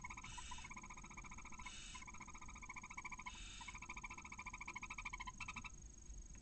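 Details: Barn owl at a nest in Cabañeros National Park, as a male arrives with a mouse and tries to copulate, hours after a chick hatched. Rapid, pulsed, harmonic chittering repeats several times a second, broken by short hissy bursts.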